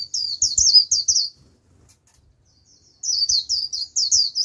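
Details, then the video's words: White-eye lure calling a wild flock, the flock coming and singing along: two bursts of rapid, high down-slurred chirps, five or six in each, separated by a quiet gap of under two seconds. "Vành khuyên mồi gọi bổi cực tốt, bổi đến cả đàn, bật líu theo."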